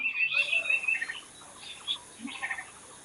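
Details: A short burst of natural bird sound: a loud high buzzy trill opens, followed by softer scattered chirps and twittering notes from several birds.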